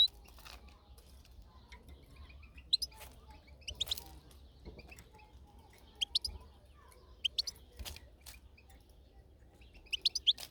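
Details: European goldfinch outdoors, sparse high twittering notes in short groups every few seconds, against quiet background with occasional knocks.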